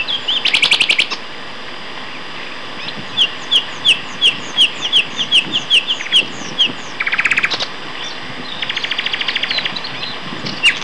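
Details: Common nightingales, two males, singing in May 2012 at Castor Hanglands near Peterborough, England; a harsh chattering burst, then about a dozen clear, evenly spaced whistled notes, a dry buzzy trill and a fast, even run of repeated clicks.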